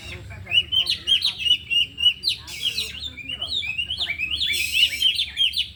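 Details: Oriental magpie-robins in afternoon training, four captive birds all performing their isian fill. Sharp upslurred whistles repeat about every half second, then a busier scratchy, warbling passage follows. Faint background noise.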